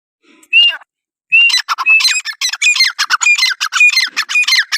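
A francolin gives a couple of harsh opening notes, then a fast, grating run of loud squawks, several per second, high and scratchy throughout.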